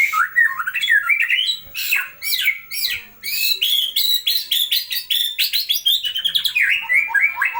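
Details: White-rumped shama master song: loud, rich, continuous stream of varied whistles, sharp upward and downward slurs, and fast repeated chattering notes, with brief pauses between bursts.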